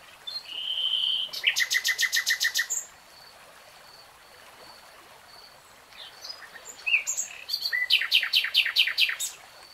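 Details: Wild common nightingale: a short steady whistle leads into a rapid machine-gun series of about a dozen loud clicking notes, silence, then another accelerating rattle of repeated notes, with a stream in the background.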